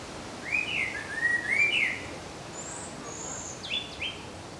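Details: Indian blackbird at Nandi Hills sings a mellow, fluty warbled phrase ending in thin, high twittering notes, then a shorter whistled phrase, over soft background hiss.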